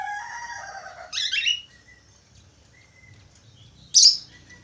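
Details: Budgerigar in full song: a layered, buzzy warble fades into a scratchy burst, then quiet short whistles and one sharp, bright chirp.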